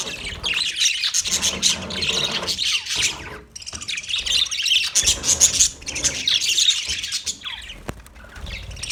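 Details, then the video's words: Colony of 30 budgie pairs chattering, continuous overlapping high chirps and squawks in rolling bursts with short quieter gaps between. "30 pairs Budgies colony sounds Big chirping sounds"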